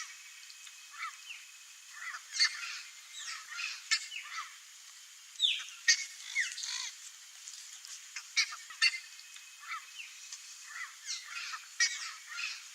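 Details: Turquoise-fronted parrots in natural habitat, wild in Brazil: a noisy chorus of harsh squawks and shrill rising and falling screeches, irregular and overlapping, several birds calling at a distance over steady background hiss.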